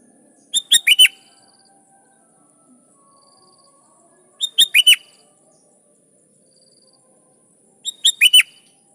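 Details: Three evenly spaced phrases from a sooty-headed bulbul calling rivals, each a quick run of four clear notes with the last ones falling, about every three and a half seconds.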